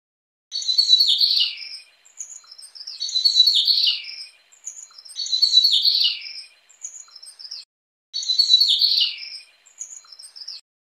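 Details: A Mugimaki flycatcher (Ficedula mugimaki) gives four high, bright twittering phrases, each about a second long, every two and a half seconds, with softer notes trailing after each.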